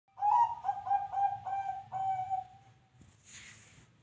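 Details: Zebra dove call: a run of rapid, soft staccato coos on one pitch, speeding into a longer drawn-out final note, followed by a short rustle.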